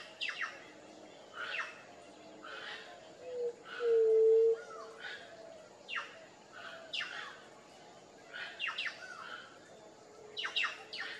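A White-tipped Dove gives a single low, hollow hooting note lasting about a second, amid scattered chirps of other small birds and a steady high insect hum.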